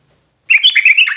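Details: Sooty-headed bulbul in lively, persistent, agitated ropelan-style song: after half a second of silence, a quick burst of bright chirping and warbled notes that rise and fall, closely packed, with nothing else audible.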